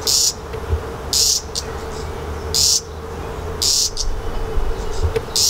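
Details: Redstart fledgling begging while its parents feed it: separate sharp, hissy, high bursts with pauses of about a second between them, over a low background hum.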